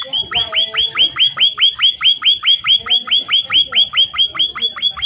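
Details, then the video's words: A munia (emprit/pipit) gives a fast, steady run of sharp upward-hooked chips, about five a second, high and even, used as a lure call to prompt other munias to answer and call back. "Suara burung Emprit Pipit gacor untuk pancingan agar emprit lain cepat bunyi sahut sahutan"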